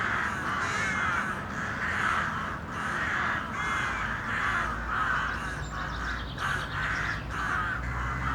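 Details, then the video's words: Crows in a city, a flock giving harsh repeated caws that overlap continuously, with steady low urban background rumble. "A Murder of City Crows."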